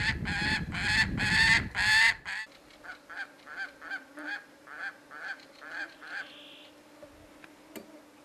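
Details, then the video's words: White gyrfalcon at its nest in Siberia during breeding. Loud harsh calls open the recording for two seconds, then about a dozen evenly spaced rasping notes follow at roughly two per second, with a steady insect hum behind. "White Gyrfalcon nesting in Siberia"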